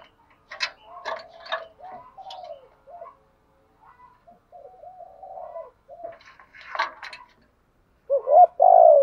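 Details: Decoy spotted dove cooing to provoke wild doves: soft, low, wavering coo phrases broken by sharp clicking bursts and brief chirps, ending in a loud, throaty double coo.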